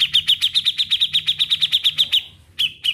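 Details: Song of a grey-cheeked bulbul in ngetril trilling style: a steady rapid run of about sixteen bright, equal chip notes at an even high pitch over two seconds, a short pause, then two more chips.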